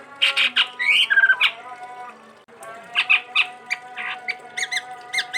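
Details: A chestnut-rumped babbler from Sumatra gives a lively run of harsh, squawky chattering notes mixed with short whistled phrases, one sliding downward. A steady faint hum runs underneath.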